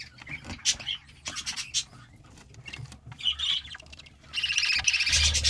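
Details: Young budgerigars in an opened nest box give scattered high squeaks and chirps. A louder, dense raspy chorus builds at the end over low handling noise.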